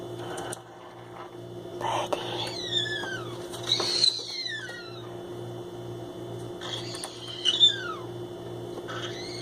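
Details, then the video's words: Pet green-cheeked conure exploring empty boxes indoors, giving its signature noise when discovering a new place: scattered sliding whistles and squeaky rising and falling notes in several bursts, over a steady low household hum. "Birdy is Obsessed with Boxes and Making Weird Noises"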